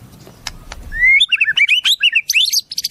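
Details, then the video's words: White-rumped shama song with wild-bird fills: a smooth rising whistle followed by a quick, varied warble of chirpy sweeping notes. "Masteran Murai, Isian Burung Alam Liar"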